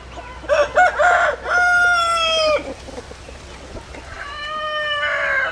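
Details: A rooster gives a long drawn-out crow that holds steady and slides slightly downward, followed later by a second rising-then-level crow.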